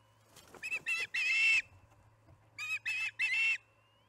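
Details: Osprey at the Charlo nest during an evening feeding, 6pm, July 9, 2019: scratchy rustling and knocks, then two clusters of harsh, whistled squealing calls, the longest about half a second.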